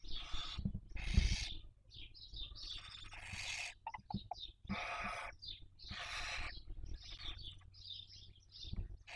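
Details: Barn owls raising young in Cabañeros National Park, Castilla-La Mancha, Spain, 2023 breeding season, recorded by nest webcam: repeated harsh hissing screeches with quick chirping wheezes between them, plus occasional low knocks.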